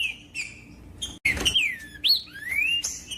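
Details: A green-winged saltator sings to warm up other birds: a few soft whistles, a brief silence, then loud slurred whistles falling and rising, including a long rising whistled phrase.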